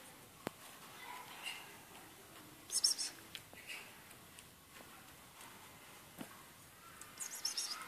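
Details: An aggressive female European greenfinch gives two brief bursts of high, scratchy chirps, a few seconds apart, against a quiet background with faint rustling.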